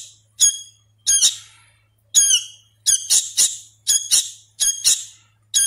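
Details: Hand-fed sooty-headed bulbul chick still learning to vocalise, uttering harsh, buzzy, high squawks in irregular bursts of one to three notes, with a faint low hum behind.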